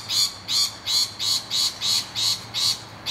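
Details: Rainbow lorikeets under attack by noisy miners at their nest hollow give a steady run of eight harsh screams, each about a third of a second long and evenly spaced.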